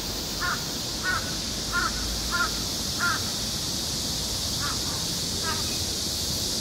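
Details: A crow gives five short, harsh calls about every two-thirds of a second, then two more after a pause, over a steady high hiss; this crow was also heard suddenly switching to a different voice.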